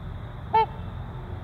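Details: A single short, bugling honk from a trumpeter swan breeding pair, nasal and harmonic-rich, standing out briefly from a steady low rumble and faint constant hum.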